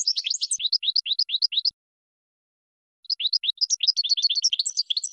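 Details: Goldfinch song for training: a rapid series of rising chirps, over a second of silence, then a dense, bubbling twitter of varied high notes.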